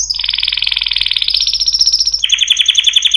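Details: Canary singing a long rapid trill with many harmonics that slowly climbs in pitch, then switches abruptly to a lower, pulsed rolling phrase.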